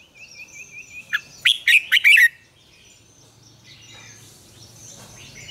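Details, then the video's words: Red-whiskered bulbul, morning double-note song in the mature wild style for training other bulbuls: a wavy trill from another bird, then one quick burst of bright, ringing notes, followed by quiet hiss and a faint hum. "luyện chào mào hót sáng, Ép chào mào hót âm kép già rừng hay tuyệt!"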